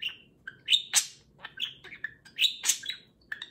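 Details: Caged budgerigar chattering loudly while another budgie grooms it on an affectionate morning; varied high warbles and chirps, with a few harsh scratchy bursts, in uneven phrases about every second or two.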